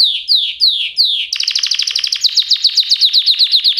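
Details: Canary song: four loud sweeping notes falling in pitch, then a dense, rapid trill of repeated chirps that rises slightly and keeps going steadily to the end.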